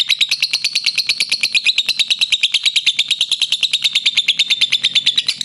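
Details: Lovebird (fighter type) in its long ngekek song: an unbroken machine-gun rattle of scratchy high notes, slowly drifting down in pitch, with a soft low hum underneath.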